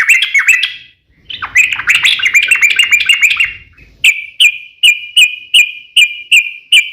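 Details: Yellow-vented bulbul singing vigorously as a lure to set other bulbuls singing: a jumbled chattering phrase, a short gap, a denser warbling run, then clear evenly spaced whistled notes roughly twice a second.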